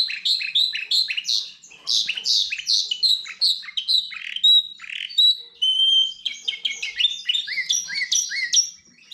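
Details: Hybrid of goldfinch and canary delivering a rich, twittering song of buzzy chirps and clear whistled notes, varied phrases running continuously over nine seconds, high-pitched and lively.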